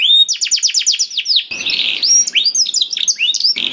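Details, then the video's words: Canary singing to prompt another canary: rapid descending chirp trill, then a buzzy, harsher rolling passage mixed with whistled upswept notes. "PANCINGAN KENARI SUSAH BUNYI AUTO NYAUT GACOR TANPA HENTI || VOICE OF CANARY"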